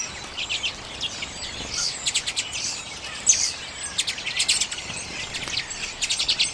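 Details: Several common redpolls eat sunflower seeds in late January 2022, recorded on a Canon EOS M50. The clip carries repeated fast, buzzy, ticking trills in short bursts of a few notes, high-pitched, over a steady hiss.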